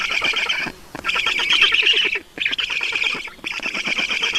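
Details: Black storks on the nest in Estonia, 5 June 2019, 20:28, as water arrives; loud, rasping, rapidly pulsed squeals in three bursts with short silences between.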